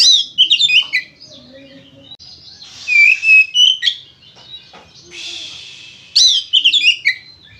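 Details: Oriental magpie-robin (kacer) singing in gacor ngeplong style to prompt other birds to sing: loud rich whistled and warbled phrases broken by hissing bursts and pauses, resuming in a bright trilling run.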